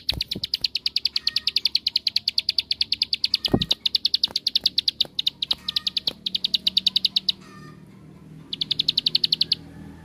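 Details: Lure song of a bar-winged prinia in ngebren style, meant to provoke other prinias: a long, rapid series of high repeated notes lasting about seven seconds, a short silence, then another quick burst; scattered knocks.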